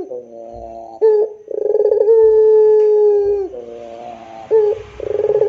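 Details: Dove giving the pelung style of puter song: soft low hoots, then a sharp rolled burst opening into a drawn-out steady coo that drops at its end, followed by another rising stutter starting a new phrase.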